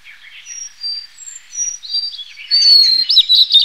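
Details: Soft, distant-sounding whistles and twitters at first, then a Blue-and-white flycatcher's loud, clear whistled phrase ending in quick rolling notes.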